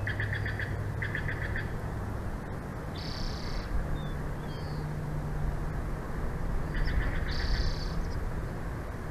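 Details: Bald eagles at a nest in Big Bear Valley, filmed by a live nature cam on 06/02/2024 at 14:32; thin, high piping chatter in short pulsed bursts, heard against a strong constant low rumble of wind or traffic.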